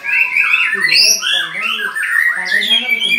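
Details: White-rumped shama in a mental test against another bird: a loud, dense run of varied whistles, with rising and falling phrases and scratchy notes overlapping without pause.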